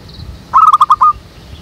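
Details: Zebra dove used as a lure for trapping doves, calling from a jackfruit tree behind a house: one short burst of five quick, clipped, mid-pitched coo notes lasting about half a second, with a faint high chirp before it.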